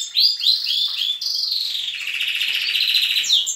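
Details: At daybreak in a canary breeding room, young birds sing alongside adult canaries: a few sharp downslurred chirps, then a long buzzy rolling trill held steadily at mid-high pitch, with another bird's notes overlapping.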